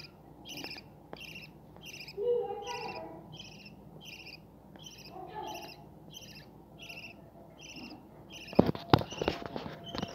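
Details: Budgerigars breeding with chicks make a regular run of short, high, buzzy chirps, with softer low chatter in between; a burst of loud clattering knocks comes near the end.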